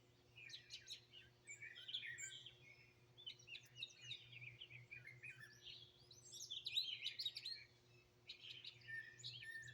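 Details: Several birds singing and chirping outdoors in Greenville, South Carolina, 2023, captured raw on a phone; a busy chorus of high twittering notes, trills and short whistled phrases, over a faint constant low hum.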